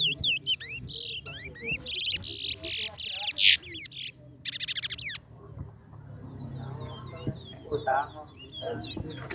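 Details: Competition towa towa song, West Coast versus West Bank: dense bursts of harsh buzzy trills alternating with quick whistled slurs for five seconds, then softer distant chips, with a voice counting "10, 11" afterwards.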